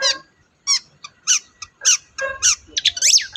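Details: Long-tailed shrike singing, used to provoke a silent shrike into song: scattered squeaky, sharp notes and short trills at irregular spacing, ending in a quick cluster of high whistled slurs.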